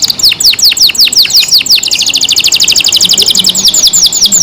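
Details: Canary kept in care singing loudly: a run of steeply falling whistled notes about four per second, then a quick high rattling trill of repeated notes.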